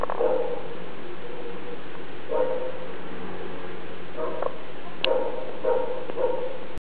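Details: Sleeping monk parakeet nestling, roughly 30 days old, making snore-like sounds: short, buzzy, nasal notes in brief bursts about every second, separated by quiet gaps, over a constant low hum.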